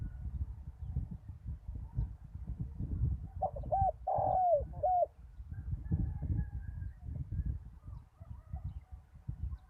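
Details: Spotted dove kept as a decoy at a ground site after a storm utters a single coo phrase, short-long-short, the long middle note sliding downward, amid low rumbling ambient noise.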